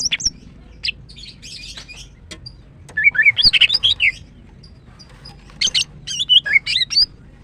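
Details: Song of a female greater green leafbird, offered as therapy for a male that has stopped singing: scattered high chirps build into a dense run of twittering whistles, then another lively burst of bright notes.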